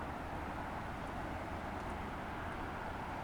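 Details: Steady broadband rumble of distant traffic and aircraft along a canyon trailhead, with no animal calls standing out.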